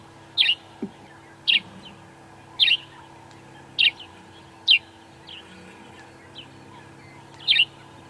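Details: An unseen Grey-headed sparrow calling from a deep thicket at dawn on an African safari drive, one of the first calls of the morning, as it calls every morning, gives short bright chirps, six or seven in eight seconds, over a steady vehicle engine hum.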